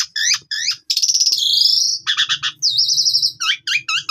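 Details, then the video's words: Training lure song of an Asian pied starling, rich in fillers: looping whistled chirps, a long harsh buzzy note, rattling clusters and repeated bright upslurred whistles in rapid sequence, over a low hum. "PANCINGAN JALAK SUREN GACOR FULL ISIAN"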